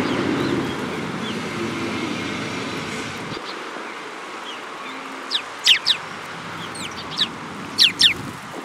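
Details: Sparrows at a Tenmangu shrine, recorded 15 March 2022: low rumbling background noise at first, then a run of quick, high, bright chirps, some in close pairs, scattered over the last few seconds.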